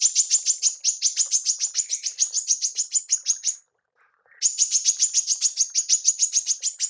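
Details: Female manggar tembakan, used for training songbirds: long runs of rapid, high, metallic chips, roughly three per second, broken by a single brief pause before the series continues.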